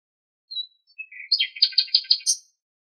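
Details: Common nightingale singing in Greek nature: a thin high whistle, a short lower whistled phrase, then a rapid run of about six loud, rich, scratchy pulsed notes ending in a high buzzy flourish, with a clean silent background.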